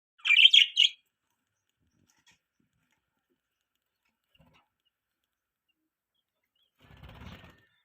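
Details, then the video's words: Pet budgerigars: a quick burst of loud, harsh chirps in the first second, then silence and a faint rustling near the end. "Budgies Parrots Chirping Sounds"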